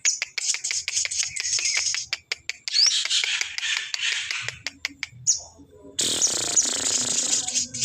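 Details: Crested jay, or sogon, calling as a lure for other birds: a fast run of dry clicks merging into a rasping hiss, a short gap, then a loud, sustained harsh screech.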